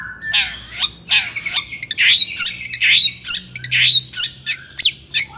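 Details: Long-tailed shrike calling agitatedly to provoke other shrikes: rough, scratchy squawking notes repeated roughly once per second, with a few sharp chips between.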